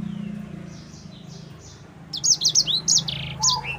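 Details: Black-throated canary (sanger) recorded as a tutor singer: soft, faint notes at first, then a loud burst of rapid high chirps and swooping whistles over a steady low hum.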